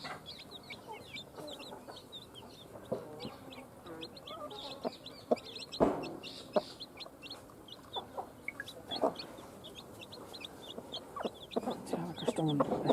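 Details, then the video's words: Chicks newly hatched from a hen's eggs chirp almost continuously, short high peeps crowding together, with occasional soft clucks and scattered sharp clicks and knocks. "JUST BORN "Chicks Chirping" Sounds"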